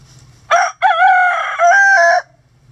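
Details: Cock-a-doodle-doo from a rooster in the coop as chickens scratch about: a clipped first syllable, a pause, then a drawn-out, nasal, rasping call in two held parts lasting over a second, with a low hum beneath.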